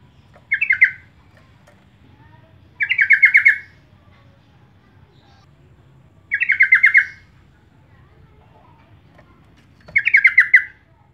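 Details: Yellow-vented bulbul recording used as a lure call to make other birds sing, giving four short, bubbly, chattering phrases, each about half a second, repeated every two to three seconds over a low, quiet hum.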